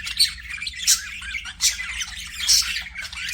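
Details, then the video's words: Aviary budgerigars giving a few loud harsh squawks about every half second to a second over softer continuous chatter, faint hum below. "PARAKEET NOISES"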